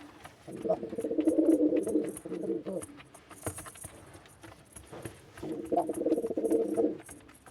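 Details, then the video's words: A male white pigeon gives two low, throaty cooing bouts, each about two seconds of rapid pulsing murmur, with faint clinks and rustles between them. "white pigeon male sound"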